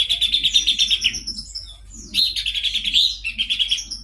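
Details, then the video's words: Horsfield's babbler singing vigorously: bursts of rapid, high, buzzy trilled notes, each run about a second long, separated by brief pauses and faint higher slurred notes. "pelanduk semak gacor"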